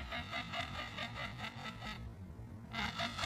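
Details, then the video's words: Woolly-necked stork (Ciconia episcopus) calling: a rapid series of harsh, rasping bursts, several per second, a short pause, then the rattling resumes, over a low background rumble. "Woolly necked stork (Ciconia episcopus) sound - call and song"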